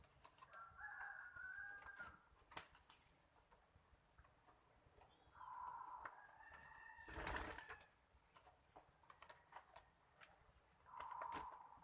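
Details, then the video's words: Dove cooing in a contest, with short low hoarse coos spaced several seconds apart amid clattering handling noises, a sharp click and a burst of broadband noise. "Sabung burung puter"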